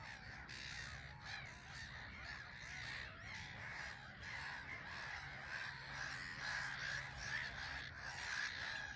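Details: Black-headed gulls crowding a small island at RSPB Frampton Marsh as they come and go; a steady wash of scratchy, overlapping calls from many birds, none standing out, over a low rumble.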